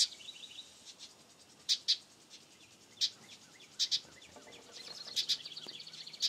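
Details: Baby house wrens giving sharp, high chirps in short pairs and bursts, with faint thin trills of quick rising notes between them.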